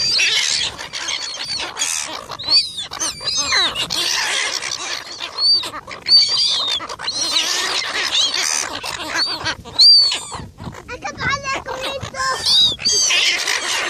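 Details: Seagulls squabbling over food, a dense chorus of shrill mewing squeals and raucous screeches from several birds at once, nearly continuous with short pauses and some clattering noise.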